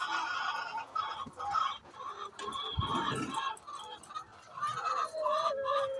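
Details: Chicken making its noise before laying eggs: layered, harmonic clucking calls in uneven bursts, with a brief low thump near the middle.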